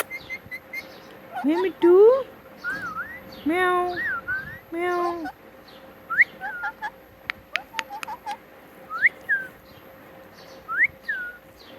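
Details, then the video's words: Pet parrot that mimics words such as "Mitthu Mitthu"; hoarse, speech-like phrases with rich overtones early on, followed by scattered short whistled upslurs and clicks spread across the rest. "Talking Parrot Mitthu Mitthu"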